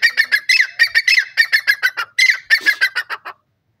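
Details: A wild francolin (jungli or dakhni teetar) gives a fast run of loud, harsh, grating notes, about six per second, for three seconds before stopping abruptly.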